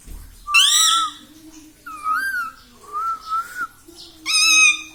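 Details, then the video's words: Pet parrot talking "mummy papa": drawn-out, nasal, whistle-like syllables, some gently wavering or rising, while a low human voice murmurs quietly underneath. "parrot talking mummy papa"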